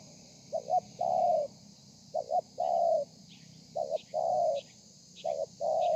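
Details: Spotted dove singing in the thổ pha style, recorded 30/11/2020: four phrases of two short clipped coos and a longer mellow coo, each about a second apart, with faint high chirps and a steady background hiss.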